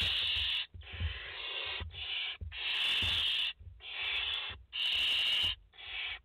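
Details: Nest of five barn owl chicks on a live camera, 29 August 2021; seven loud, breathy hisses follow each other almost without pause, with low bumping noises in the background.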